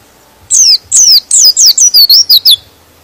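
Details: Rapid white-eye song intended to make other white-eyes agitated and sing: roughly nine bright, high chirps, each sliding steeply downward, delivered in a tight two-second run.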